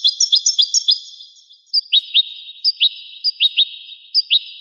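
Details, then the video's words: Rare 1985 recording of a singing goldfinch: a rapid run of bright tinkling chirps, then spaced pairs of sharp upslurred notes with occasional higher ringing whistles. "تغريد طائر الحسون"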